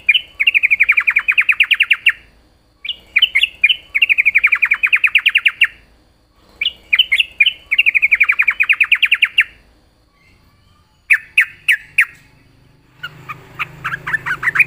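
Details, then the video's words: Yellow-vented bulbul in full, chatty song: bubbly, warbling phrases of rapid rolling notes, each about two seconds long, repeated in four bouts with short pauses, ending in sharper chirps. "burung Trucukan gacor"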